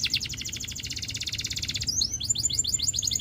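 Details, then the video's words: Russian canary singing a fast, rattling trill of bright repeated notes, then quick, rising whistled phrases, over a low indoor hum. "The Russian Canary Invites All Canaries to Sing"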